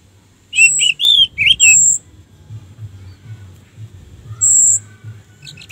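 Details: Orange-headed thrush song meant to trigger singing in other thrushes: three or four loud warbled whistles with high thin overtones, a pause, then another high sustained whistle.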